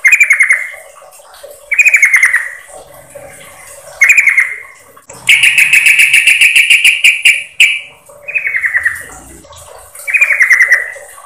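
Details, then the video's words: Female sooty-headed bulbul calling the male: short, harsh, rapidly pulsed phrases falling slightly in pitch, about a second each and repeated every two seconds, with one longer, steadier chattering burst in the middle. "Suara Pikat Burung Trucukan Betina Memanggil Jantan"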